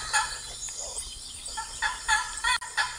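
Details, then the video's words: Blue macaws calling in short, harsh, nasal squawks, one near the start and then a rapid run of four strident calls in the final second and a half, over a low background hiss. "Blue Macaws"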